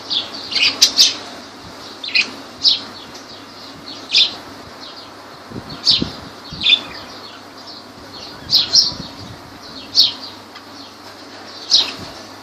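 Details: Lovebirds in Laylan, Kirkuk, giving sharp, high, shrill chirps in short bursts every one to two seconds, with quiet gaps and a faint low hum underneath.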